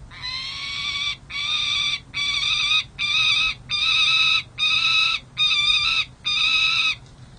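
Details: Young peregrine falcons at a city hall nest ledge in San Jose, playing and being fed, June: harsh wailing calls in long even blocks, about one per second, eight in a row.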